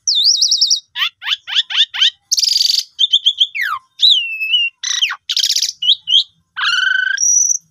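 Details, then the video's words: Asian pied starling song played as a lure to get kept birds that have stopped singing to sing again: fast varied medley of wavering whistles, repeated downslurred chips, buzzy bursts and a long steady whistle at the end. "Pancingan Jalak Suren Jitu Cocok Buat Burung Macet Pasti Gacor"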